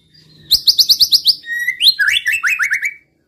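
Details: White-rumped shama song played to provoke rival males into singing: a fast series of seven sharp repeated notes, then a rising whistle and descending rich phrases.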